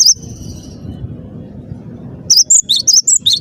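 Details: Cinereous tit singing hard: one thin high whistle at the start, a long stretch of low background noise, then a sudden quick series of sharp, high chirping whistles over the final second.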